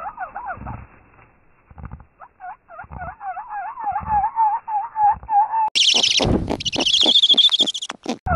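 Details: Snowy owls at an Arctic nest: as the male flies in with prey, the female brooding the young greets him excitedly, giving rapid wavering mewing calls, then harsh rasping screeches, before taking the prey to feed the chicks.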